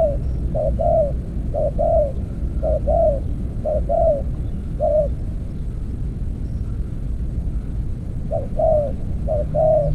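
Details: Spotted dove lured with an earthen trap cage in a decoy-trapping session: a rhythmic run of two-part coos, short then longer, a gap of several seconds, then more coos over background rumble.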